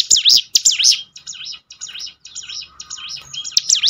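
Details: Hill prinia singing in a lure recording for bird training: bright swooping whistles, loud at the start and end, with a quieter middle stretch of the same dipping notes.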